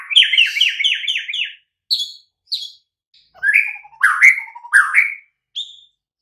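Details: White-rumped shama song used as a master for silent birds: an opening run of rapid rolling notes, scattered high whistles, then loud rising slurred phrases with soft trilled lead-ins.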